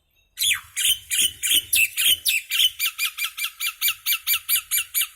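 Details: Common myna, a little bird making noise, gives a long unbroken run of about eighteen harsh scratchy notes that quicken and shorten as the series goes on.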